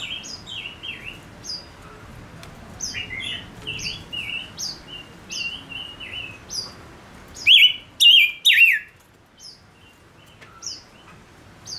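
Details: Male silver-eared mesia kept as a decoy bird, singing to draw in wild birds: a string of short whistled notes, each dropping slightly, with high thin accents. Near the end comes a loud burst of three bright slurred notes.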